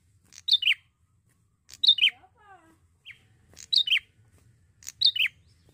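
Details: Bar-winged prinia, a young male singing actively in Indonesia: four high paired chirps, each falling in pitch. A quieter, lower series of descending whistles sounds after the second chirp.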